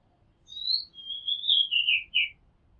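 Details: Oriental magpie-robin recorded from a house rooftop: a sweet whistled phrase starting high, sliding through level notes, then dropping into two short warbled syllables, with faint low background rumble.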